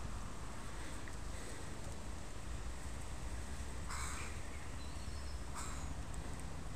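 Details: Crow from a family with young in a park, the parents tolerating a person close by; two short, harsh, broadband caws about one and a half seconds apart over a steady low background hum.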